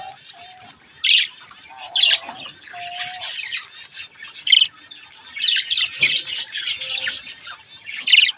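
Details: Playing baby budgerigars make scattered harsh squawks and a dense spell of buzzy warbling chatter, with brief plain whistled tones early on.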